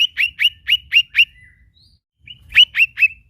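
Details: Lesser green leafbird: six rising, ringing chips spaced evenly, a brief faint whistle and pause, then another rapid set of three strong upswept notes.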